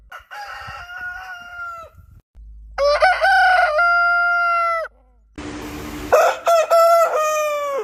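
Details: Rooster crowing in the morning: successive crows with stuttered openings and sustained harmonic tones. The last crow comes over a sudden burst of broadband hiss, with a low hum in the background.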